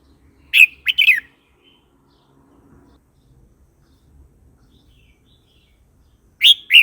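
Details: Red-whiskered bulbul singing, used to provoke newly caught and old wild birds or teach young birds: a rapid cluster of sharp chirpy notes, long quiet gap, then another bright chirp.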